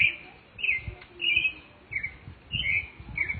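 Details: Rufous-bellied thrush singing in nature: short fluty whistled notes, about six spaced phrases of slurred warbles, with low rumbling background noise.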